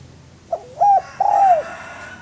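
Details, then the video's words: Single spotted dove phrase for luring other doves: a short soft note, a brief hooked coo, then one long, gently falling coo. "Suara Pancingan Derkuku Gacor AMPUH dan Masteran Derkuku Tekukur Lain"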